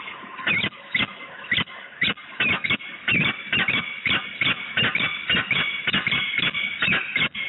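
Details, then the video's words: A pair of peregrine falcons calling together at Włocławek on 9 August 2020: a continuous run of harsh, scratchy notes about three per second, loud and even, over a low background rumble. "sokół wędrowny - duet, monolog i 2 x odloty samiczki"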